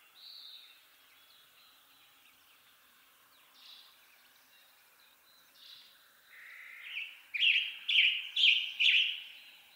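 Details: Western tanager singing in western North America: faint rough notes early, then four loud hoarse, burry phrases in quick succession near the end, against a quiet, still background.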